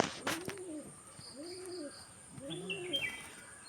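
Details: A domestic pigeon, while a male moves toward a female, coos softly and low in rolling calls about every second and a quarter, with faint high chirps of other small birds behind.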